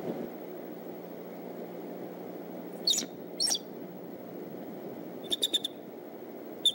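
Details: Male bald eagle dropping in at the Decorah nest around 6:30 a.m. at sunrise on 22 March 2014: two brief high chitters, then a quick burst of three or four sharp notes later, over a steady low background rumble.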